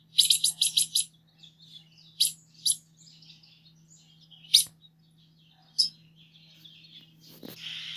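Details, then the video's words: Green-headed tanager giving a quick run of five high sibilant notes, then scattered single ticks and soft twitters, ending in a short burst of noise. "saira 7 cores o canto mas lindo da natureza"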